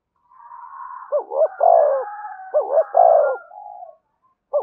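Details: Spotted dove lure cooing to draw wild doves in: two repeated phrases of paired short notes and a full, downslurred coo, over a softer, continuous background cooing from another dove.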